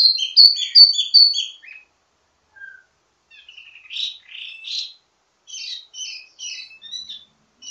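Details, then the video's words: Ledekan teasing song of an Indonesian wambi mini, used to tutor other birds of the same kind: a quick run of four sharp high chirps, a pause with a lone low note, then scratchy warbled and twittering fragments. "Ledekan Wambi mini Full Gacor Banyak Vareasi"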